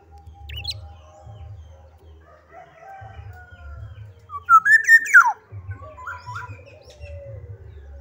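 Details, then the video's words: Black-naped oriole singing vigorously: one loud fluted whistle climbing, wavering, then sliding steeply down near the middle, with faint chirps around it and a low steady hum beneath. "kepodang gacor"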